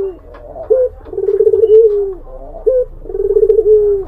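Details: Barbary dove singing to lure a rival: a short rising note, then a long, low, rolling purr that slowly falls away. The phrase comes twice, about two seconds apart, in a quiet setting.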